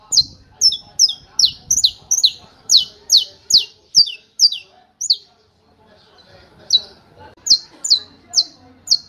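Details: Canto martelo of a saffron finch, a long fast burst of about fifteen piercing downslurred notes, a two-second break, then the hammering series resumes with five more.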